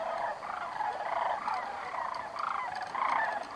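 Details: Migrating north for the summer, a flock of sandhill cranes circles on a thermal at Bandelier National Monument, giving trilled, rattling bugles in about six overlapping bursts, each roughly half a second long.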